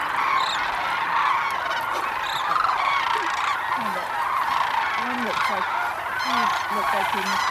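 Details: At Monte Vista Wildlife Refuge, thousands of sandhill cranes feeding in a barley field fill the air with a constant chorus of overlapping rattling calls; faint low human voices are heard in the second half.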